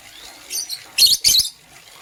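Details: Green and blue lovebirds chirping in the morning: two soft, high notes lead into a pair of loud, raspy chirps.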